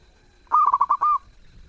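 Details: One loud zebra dove phrase: five or six rapid, clipped coos followed by a smooth, drawn-out final coo, sung in a lively, melodious way.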